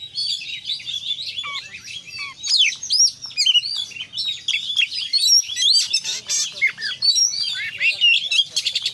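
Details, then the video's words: Oriental magpie-robin pouring out a long, dense 'konslet' song full of fill phrases: tumbling high whistles, buzzy chatters and sweeping slurs, almost without pause, with a faint low rumble behind. "kacer gacor KONSLET full isian"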